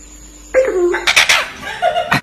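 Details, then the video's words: A blue-and-gold macaw talking in a quiet room: a short voiced word sliding down in pitch, then a quick run of harsh, raspy syllables ending in a brief squawk; owner suggests it is screaming for snacks. "Macaw Parrot Amazing Talking"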